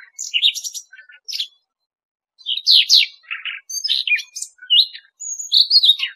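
A Siberian rubythroat sings a rich, scratchy warble of varied high, quick phrases, mixing clear whistles with buzzy notes, with one brief pause midway.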